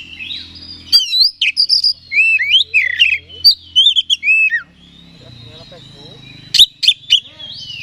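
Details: Oriental magpie-robin, kacer, singing to provoke another bird into an aggressive mood: varied whistled phrases with sliding notes and quick chirps for about four seconds, a pause, then a short burst of sharp notes.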